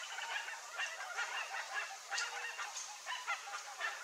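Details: A flock of rare chestnut-bellied guans (Penelope ochrogaster), apparently in the Pantanal, gives overlapping harsh, honking calls in quick irregular bursts, with several birds calling at once throughout.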